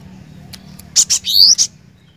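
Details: Cinereous tit (glatik batu) in lively song: two short sharp high notes followed by a longer bright upward-sweeping whistle and a final clipped note, over faint low hum.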